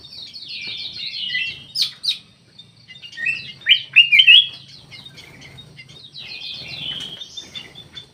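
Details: Black-naped oriole, locally kutilang emas, in an Indonesian aviary: several brief liquid whistled notes in the middle of the recording, surrounded by dense high twittering and chirping from other birds.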